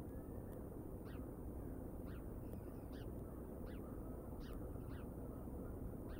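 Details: Evening live-cam audio of bald eagles, 31 August 2022, with high thin piping notes spaced roughly every half second to second, each a quick falling slur, over a dense steady low rumble.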